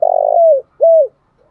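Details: Close spotted dove in 'thổ pha đồng' style. A long rolling coo slides down at its end, followed by one shorter arched coo that also falls away.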